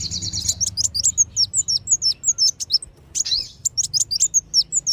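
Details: High-pitched sunbird lure sounds, wulung and sogon kinds, meant to attract wild birds. A rapid, steady stream of thin chirps and bent whistles runs with one short break midway.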